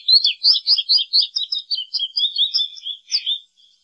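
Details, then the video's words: Continuous high twittering from an American goldfinch: about sixteen quick, sweet notes, chattering and slightly buzzy, run together for over three seconds before fading out. "American Goldfinch Song! American Goldfinch Call! - Jilguero Americano canto - Carduelis Tristis"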